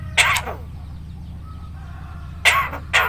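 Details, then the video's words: Javan myna that can talk, greet with salam and cough, giving harsh, breathy speech-like syllables at the start and two more near the end, separated by quiet hum. "BURUNG JALAK KEBO BISA NGOMONG,MINTA BANTUAN PKH KE PAK RT,UCAP SALAM DAN BATUK"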